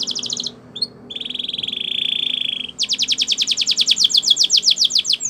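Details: Spanish Timbrado canary singing a training song: a brief high chattering trill, then a steady buzzy roll held nearly two seconds, then a fast run of sharp, evenly repeated falling notes speeding along.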